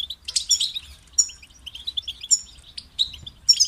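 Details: European goldfinch giving short, bright, high-pitched twitters and clipped tinkling notes in quick bursts with brief silences between them.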